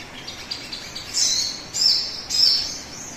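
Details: Sogon song meant to coax other birds to start singing quickly: faint chirps at first, then three louder high buzzy bursts about half a second apart, each with a sharp whistled note.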